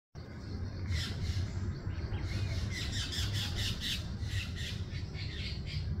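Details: Red-breasted toucan at its nest in a garden at the start of nesting season, during high heat and a historic drought: harsh, croaking squawks in a rapid repeated series over a steady low rumble of wind.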